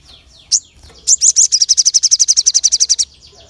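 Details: Crested jay, its sharp call played to provoke other birds into responding: a few high chirps, then a fast run of about twenty high, evenly repeated notes lasting two seconds.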